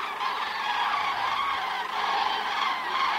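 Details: Common cranes at an autumn migration stopover on the Hortobágy steppe, Hungary, flocks returning in the evening to roost: a dense, continuous chorus of many overlapping trumpeting calls forming a steady wall of sound.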